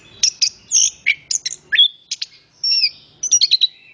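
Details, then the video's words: {'caption': 'Orange-headed thrush delivering a fast medley of clear high notes: quick chirps, a falling slurred whistle and short trills, with one longer drawn-out whistle near the end.'} "Anis kembang Istimewa Gacor banget ,suara burung"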